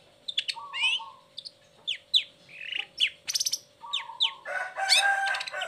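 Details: Lure song of a long-tailed shrike meant to get sluggish or moulting shrikes singing: rapid mix of sharp downslurred whistles, rasping buzzy bursts and level mid-pitched whistled notes, ending in a loud harsh chatter over a constant hum.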